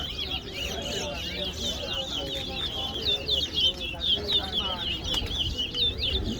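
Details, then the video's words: Caged towa towa (chestnut-bellied seed finch) at a singing competition, Guyana National Stadium; busy stream of sharp, slurred high notes in quick succession, with people talking in the background and an occasional click. "Clash Of The Titans Towa Towa Bird Competition At Guyana National Stadium"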